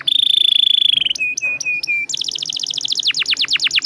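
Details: Atlantic canary singing vigorously in the long rolling style used to lure other canaries: a steady high rapid roll, then a few clear level whistles, then a series of fast descending whistled sweeps.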